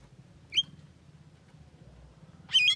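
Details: Javan myna said to be able to talk, giving two short harsh, harmonic calls, one at half a second and a longer burst near the end, over a steady low hum.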